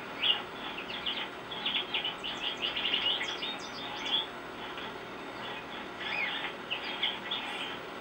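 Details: Male goldfinch perched on a shepherd's hook sings a lively, continuous run of high twittering and warbling notes, sweet chirps and quick slurred phrases, with a low steady background hum.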